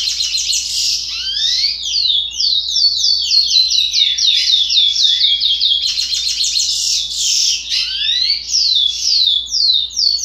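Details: Young chestnut-bellied seed finch at 60 days, its song not yet defined, delivering a loud, steady stream of quick descending whistled notes and rattling trills, with a few deeper upward sweeps between phrases.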